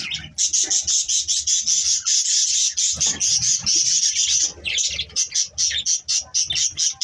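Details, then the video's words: Budgerigars in the morning give continuous loud, harsh chattering warbles, later breaking into quick, evenly spaced chirps. "good morning budgies Parrot 🦜🦜 Bueatiful Sounds morning"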